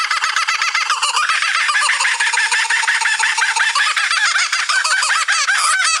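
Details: Kookaburra laughter from Australia, compared to a long human cackle: a dense, continuous stream of loud, raucous, rhythmically repeated hooting and cackling notes that overlap throughout, as if more than one bird is calling.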